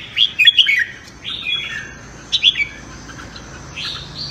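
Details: Red-whiskered bulbul morning competitive song, meant to train the voice and stir newly caught birds to sing; a quick bright warbled burst opens, followed by spaced, slurred whistled phrases with quiet gaps between.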